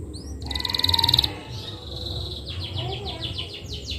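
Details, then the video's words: Canary giving a loud, fast buzzy trill, then a series of rapid downslurred chirps against a low background hum. "Kenari mana yg tahan dengar kenari suara kenari ini"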